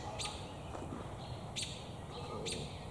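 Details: Three sharp, high chirps from an American robin perched in a tree with damselflies in its beak, perhaps looking for a mate, spaced over three seconds against low background noise.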